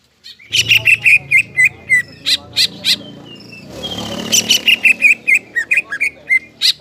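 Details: Greater green leafbird singing energetically, meant to excite stressed leafbirds into singing again; evenly spaced sharp chirps and short slurred notes in fast series, a thin whistle between, and a soft rushing noise in the middle.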